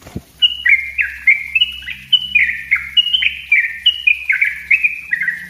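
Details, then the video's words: Yellow-vented bulbul in a dense, continuous 'ropel rapat' style song, used as a lure and a tutor for untrained birds: rapid chain of bubbly, slurred whistled notes stepping up and down, about seventy a minute, with a faint low hum beneath. "suara trucuk ropell rapat buat pancingan dan masteran trucuk bahan"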